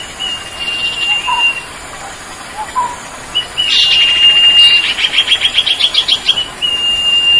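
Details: Cipoh, the Common Iora, in sertu song: long level whistles, then a fast run of about a dozen rhythmic pulsed notes merging into a sustained whistle, over constant hiss.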